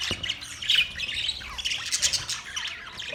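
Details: Budgerigars in a colony setup, a dense mix of high scratchy chirps and squawks overlapping without pause, with louder bursts near the start and the two-second mark.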